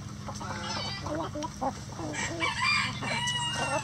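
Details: Chicken coop with a rooster crowing: a bright, stretched crow emerges over dense, busy clucking and squawks from several chickens.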